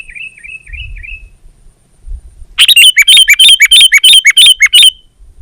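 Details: Sooty-headed bulbul song opening with a few repeated downslurred whistles, then after a pause a loud, rapid string of about a dozen sharp, evenly spaced chirps.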